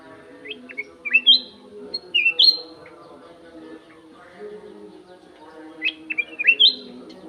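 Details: Golden-fronted leafbird kept in an aviary, singing clear whistled phrases: quick rising and falling notes and slurred whistles in two bursts, one near the start and one near the end, over a steady low background hum.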